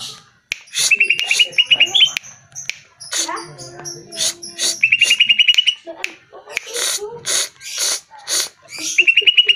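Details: Greater green leafbird song played to provoke caged birds into answering. Quick series of clear, evenly repeated whistled notes alternate with loud noisy rasping bursts and short chirps, with brief pauses between phrases.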